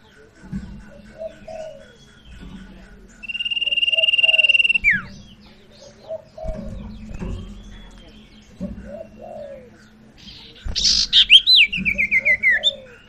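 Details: Sirtu lure song to get a bird that has stopped singing to call again: a short high trill ending in a downward sweep, later a burst of rapid, rising-falling notes, with repeated soft lower chirps and a steady low hum throughout.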